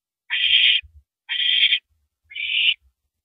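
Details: Three even, harsh rasping hisses from barn owls at the nest, roughly one per second, during a rabbit delivery at 2:42 AM on 7 April 2012, with faint low bumps between.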